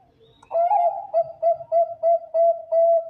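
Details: Bangkok-type zebra dove singing as a lure for other zebra doves: a rolling opening coo followed by a rapid series of short, even, mellow cooing notes about three per second, ending in a longer held note.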